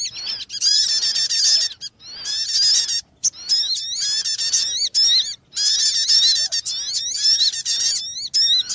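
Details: Sogon bird calls played as a trapping lure: loud, harsh, squeaky notes stacked in bright overtones, delivered in dense bursts of about a second or more separated by short gaps, with no other clear sounds.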